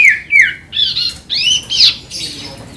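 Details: Ashy tailorbird in full song, used to provoke a common iora into singing. A rapid string of five short harsh notes, some sliding down, others arching up and over, each separated by a brief gap, over faint background hiss.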